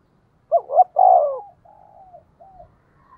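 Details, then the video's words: Spotted dove 'tiếng thúc' provoking call in the 'giọng thổ' style, used to lure wild doves: one phrase of two short coos and a drawn-out deeper coo, trailing into soft, faint cooing notes. "cu gay kich boi nhanh noi gù, tiếng thúc cực đỉnh"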